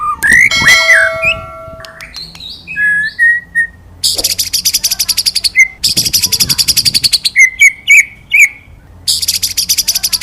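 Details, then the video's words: Training recording of a white-rumped shama in full 'ngalas nembak' song, 'wit wit cerrrr'. Varied whistled slurs give way to long, very fast buzzy trills, broken by short pauses and sharp upswept notes. "Masteran Burung Murai Batu Ngalas Nembak Wit Wit Cerrrr,Suara Murai Gacor"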